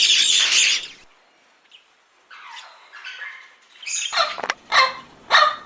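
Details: Rainbow lorikeet in Australia: harsh, broad screeching bursts, one long burst at the start, a quieter stretch, then three sharp loud screeches near the end.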